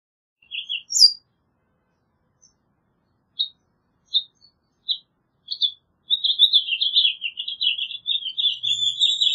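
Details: House finch: a few scattered single chirps spaced about a second apart, then a fast, continuous warbling song running from about six seconds to the end.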